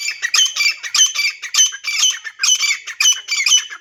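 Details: Female grey francolin (deshi titar), wild, its call used as a hunting sound; a continuous rapid series of harsh, grating, strongly ringing notes, roughly two per second, in a quiet setting.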